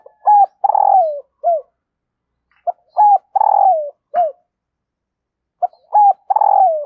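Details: Female dove calling to excite a male, used to lure wild birds. The same phrase comes three times about every two and a half seconds: quick clipped notes, then a long, buzzy, downward-sliding coo, with a clean, quiet background.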